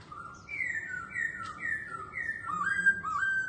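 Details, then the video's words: Caged laughingthrush dancing and singing: clear whistled notes in a steady, stepping sequence, sliding between two pitches, ending in a rising, looping phrase. "Khướu Hót Hay Múa Xèo Đuôi Đẹp"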